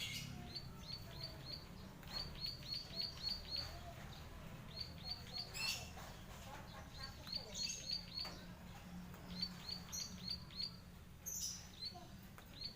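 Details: Zitting cisticola, locally called klik klik bird, singing actively in a fight: sharp high ticking notes in quick bursts of about five to eight, pausing between series, over a low rumbling background with a few other brief chirps.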